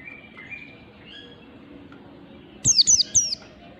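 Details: Oriental white-eye in 'ngalas' style at morning, used to train birds: quiet faint twitters, then a sudden run of three loud high descending chirps near the end.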